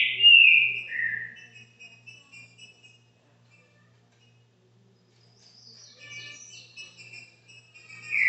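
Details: Caged green-winged saltator at a subscriber's home opens with a loud, rich whistled phrase sliding downward; a long quiet gap follows, then softer warbled notes and a closing whistle, over a faint low hum.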